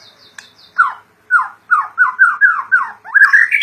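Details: Murai batu (white-rumped shama), a kept bird in gacor song: a rhythmic series of eight or so harsh, slurred chattering notes repeated about every quarter second, rising into a higher squeaky flourish.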